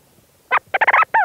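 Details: Leach's storm petrel in a burrow, recorded at close range: a loud, harsh chattering burst of rapid, clipped notes, a lone note followed by a quick run of four or five, ending in a drawn-out, slurred note.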